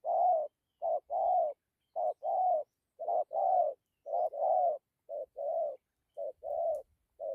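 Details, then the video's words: Decoy spotted dove in full gù coo with dặm phrasing, a rapid even string of paired hollow hoots, a short note leading a longer swelling one, about once a second, in a quiet setting. "Thổ tốt tiếng gù tốt dặm kèm gù"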